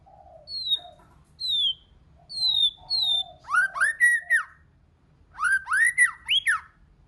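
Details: White-rumped shama in multi-voiced song: clear whistles sliding down, answered by low warbled notes, then loud rich phrases that rise and fall sharply, in bursts separated by short pauses.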